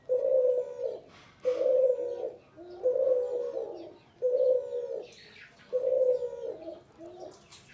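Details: Male spotted dove calling vigorously: soft, low hollow coos in repeated phrases roughly every one and a half seconds, each phrase a steady hum ending in a short falling note, with faint room noise.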